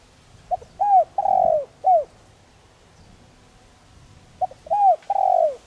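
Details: Soft lure cooing of a spotted dove used in Vietnamese decoy training: a full phrase of stutter, arched coo, long rolling coo and short final coo, then after a pause the phrase starts again, with faint hiss between.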